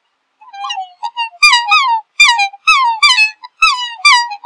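Black swan giving soft opening notes, then a run of loud, reedy, bugling calls, each sliding down, about two every second. No other sounds.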